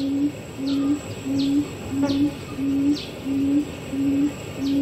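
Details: Formosan Barred Buttonquail (Turnix suscitator rostrata), Taiwan endemic subspecies, in Pingtung County, 3 September 2019, giving a steady series of low, short humming hoots, about three every two seconds, over faint higher chirps and a thin insect whine.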